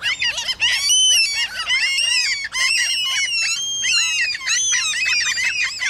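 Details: Common gulls calling excitedly after getting food in Helsinki, Finland, June 2013, with a lesser black-backed gull and four black-headed gulls present. The clip is a dense, continuous chorus of overlapping squealing, rising-and-falling mewing cries from many birds.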